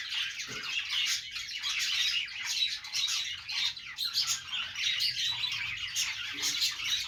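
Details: Budgies making happy sounds in the morning: a thick chorus of high twitters, raspy squawks and quick chirps, with a few low soft knocks underneath.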